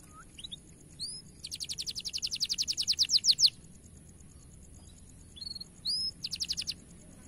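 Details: Bright-coloured canary song from a training recording with a powerful, high voice: scattered short upward whistles, then a rapid repeated trill that grows louder over two seconds, and later a brief second trill against faint background hiss.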